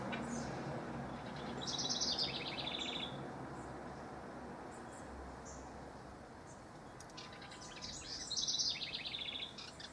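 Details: House wren song from mid-June, rival males: two bubbling, rapid chattering phrases with fast repeated notes descending toward the end, one around two seconds and another near eight seconds, over steady low background noise.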